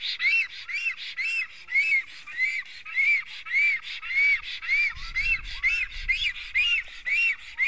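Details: Black storks at a nest in Estonia as a strange one visits: rhythmic arched whistles repeated about twice per second, with a brief low rumbling noise midway.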